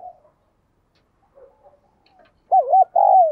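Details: Spotted dove in the 'giọng đồng kim' (bell-like 'đồng chuông') voice style: quiet soft murmurs, then at the end one loud phrase of a rounded, wavering double coo followed by a longer, sliding coo.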